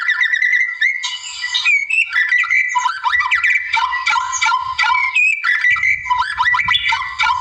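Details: Vigorous song of a wild white-rumped shama meant to draw out a rival, packed with fluty whistles, quick rattling trills and abrupt pitch jumps in an almost unbroken stream.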